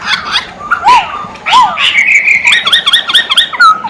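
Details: Masked laughingthrush singing: two downslurred whistled notes, then a fast series of bright chirping, stuttering phrases repeated at a quick pace.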